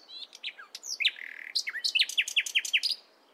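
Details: Nightingale in the morning, singing a varied phrase: scattered high whistles and a rising slur, then a fast, accelerating run of sharp, clicking downstrokes repeated about ten times before stopping abruptly.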